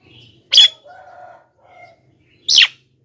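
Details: Javan myna calls used as a lure for wild mynas: two harsh, buzzy squawks about two seconds apart, with faint low tones between them.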